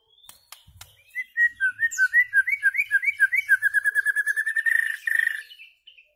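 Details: White-rumped shama song, recorded for tutoring goldfinches and their hybrids in rare notes: a clear run of slurred whistled notes that speeds into a rapid even trill, then ends in a few soft high notes.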